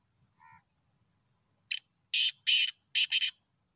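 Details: Black francolin, known locally as black teetar, calling in a hunting context. A faint low note comes first, then a loud rasping five-note phrase: a short clipped note, two long grating notes, and a final quick double note.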